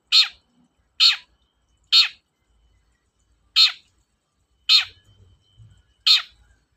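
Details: Harsh, grating single screeches from a long-tailed shrike, meant to stimulate reluctant shrikes into song, repeated at irregular intervals of roughly a second, with faint low rumbling in the background.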